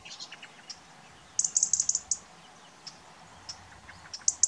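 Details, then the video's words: European robin calling: a rapid burst of about seven high, sharp ticks in under a second, then scattered single ticks and a final doubled tick, over soft faint chirping in the background. "European Robin ,Pettirosso (Erithacus rubecula)"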